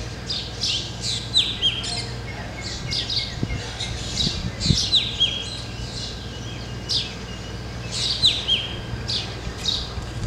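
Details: A flock of black drongos on a tree in the Ranthambore jungles of Rajasthan, with clusters of harsh chirps and short slurred whistles from several birds, coming in bursts, plus a few soft thuds and low steady hum.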